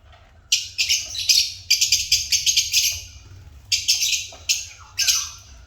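Lovebirds chirp in dense, shrill bursts of harsh high twittering, several overlapping bouts in quick succession, with a faint low hum underneath.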